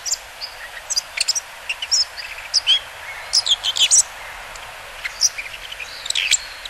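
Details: Bull-headed shrike on the Mukogawa riverbed in Japan, September 2015, giving a jumble of short high chirps and harsh squeaky notes, irregularly spaced, sometimes in quick clusters, against a steady hiss.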